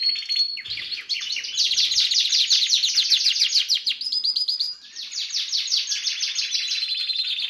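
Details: Harz canary with red and variegated birds, listed as Belgian canary, sings a continuous rolling song of rapid trills and tours, high and bright, with brief pitch changes between phrases.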